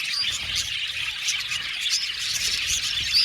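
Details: Caged budgerigars, a colony of roughly seventy pairs in an aviary, twittering in a dense high chorus with a few clear whistled squeaks near the end.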